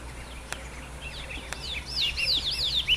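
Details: Wild yuhina in nature searching for food for its young: scattered high chirps build into a fast run of looping, bouncy whistled notes toward the end, with two sharp clicks earlier over a faint low hum.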